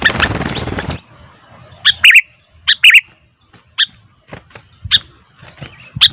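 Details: Noisy sooty-headed bulbul: after a second of loud rustling, scattered bright chips and paired chattering notes spaced irregularly, some sharp and some softer.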